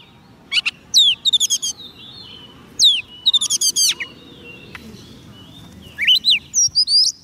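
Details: White-rumped shama song for calling wild birds, three bursts of sharp downslurred whistles and rapid ladder-like trills, each cluster lasting about a second, with quiet faint background noise between.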